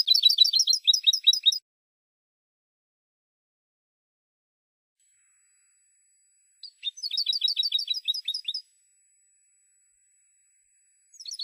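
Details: Spanish goldfinch recorded for a silvestrismo song CD. It sings three separate bursts of rapid, crisp twittering, each up to two seconds long, divided by long silent gaps.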